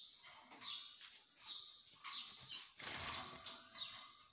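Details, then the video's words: Canaries giving short, bright chirped notes, repeated roughly every half second to second, over bursts of wing flapping and rustling. "طيور الكناري"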